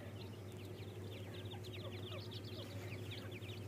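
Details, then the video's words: Black francolin (teetar) chicks fighting: a dense stream of high, short chirps and peeps, several a second, over a steady low mechanical hum. "teetar bacce ki awaaz"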